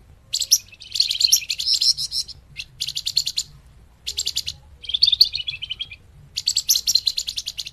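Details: Scarlet-headed flowerpecker (flamboyan) song used as a lure for trapping birds: rapid high-pitched buzzy trills in dense bursts of about one to one and a half seconds, separated by brief pauses; faint low hum underneath.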